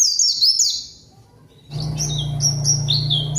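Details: A white-eye lure phrase of high falling whistles, meant to call a rival, followed after a pause by more spaced, sharp high notes over a loud low droning hum.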